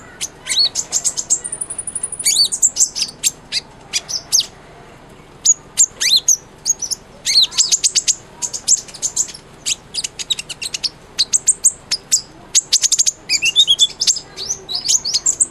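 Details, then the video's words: Sunbird (kolibri ninja) in energetic song, intended as master song for a white-rumped shama. A long, steady high whistle leads into lengthy, dense streams of rapid, needle-thin chips and twitters, with a rising slurred note late on. "SUARA BURUNG KOLIBRI NINJA GACOR/100% COCOK BUAT MASTERAN MURAY BATU"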